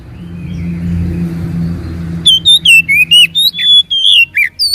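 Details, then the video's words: Oriental magpie-robin singing as a lure to draw replies from a quiet bird: a low steady hum for two seconds, then a quick sequence of bright, slurred whistles, roughly two notes per second, varying in pitch. "PANCINGAN BURUNG KACER MALAS BUNYI DIJAMIN NYAUT"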